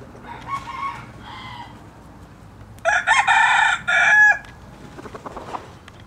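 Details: Red junglefowl giving a strident, broken crow of several rapid bursts ending in a longer held note, preceded by two fainter clucking calls and followed by soft scratchy sounds.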